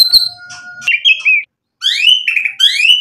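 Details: White-rumped shama (murai batu) in vigorous song, meant to provoke other birds into answering: after a faint opening, bright whistled notes slide and waver, then a short silence and two rising whistled phrases with buzzy overtones.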